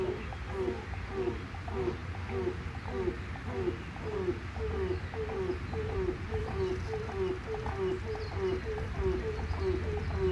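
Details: Grey crowned crane, also called African crowned crane, an endangered species; a steady run of mid-pitched honking notes, close to two per second, over a low rumbling hum.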